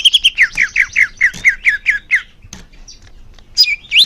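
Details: Greater green leafbird song meant to make caged birds sing more: a string of about ten downslurred whistled notes roughly four per second, a pause, then two rising-falling whistles.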